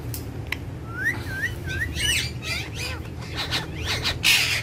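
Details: Two pet Indian ringneck parakeets, kept together and shown dancing and talking. A run of short wavy whistled notes rises and dips in quick succession, followed by rapid chirps and a harsh burst near the end, over a low steady hum.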